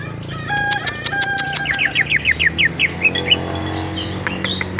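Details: Greater green leafbird of the Bali type, singing ngerol style: one short rapid burst of about eight whistled notes mid-clip, with low steady tones, clicks and scattered chirps around it.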